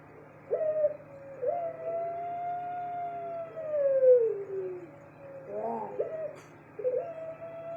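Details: Caged Barbary dove of the puter pelung type giving long drawn coos: a sustained steady note that slides downward at its end, repeated with short rising lead-in notes, over a constant low hum.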